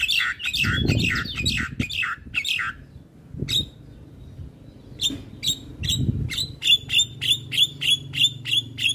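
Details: A captive male Javan myna sings with head-bobbing: harsh buzzy notes in quick succession, a short pause with a faint whistle, then evenly spaced sharp chirps roughly three per second.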